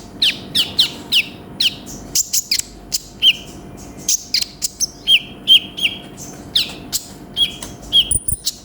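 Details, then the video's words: Varied konin sunbird song: rapid series of high, falling chirps, then repeated notes that drop and flatten into short level tones, with a few very high thin whistles. "MASTERAN BURUNG KONIN GACOR FULL ISIAN"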